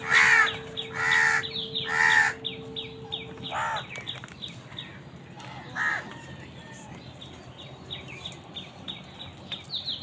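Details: Crows calling while fighting wild birds for food: three loud, harsh, hoarse caws in quick succession, then softer caws among a busy chatter of small birds chirping repeatedly in the background.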